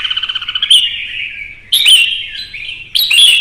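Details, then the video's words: A Vietnamese red-whiskered bulbul singing competitively after provocation. A quick series of short pulsed notes leads into long whistled phrases that slide downward, then two more loud, sharp whistles. "CHÀO MÀO | Kích ché đấu hót căng lửa"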